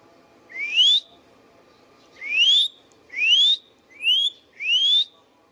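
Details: Pet Indian ringneck parakeet repeating a clear upward-sliding whistle five times, roughly one second apart after an opening pause, each note smooth and similar, over a faint low hum.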